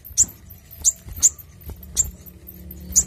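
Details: Brown-throated sunbird, lively and clear, recorded for luring and tutoring birds: crisp high chips at irregular intervals, five in about three seconds, with a faint low drone underneath.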